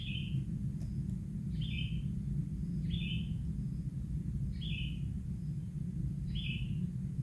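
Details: Kingfisher chick, still bare and pink, being fed fish by its parent, gives five short rasping downward-sliding calls at roughly one-and-a-half-second intervals, with a low steady hum underneath.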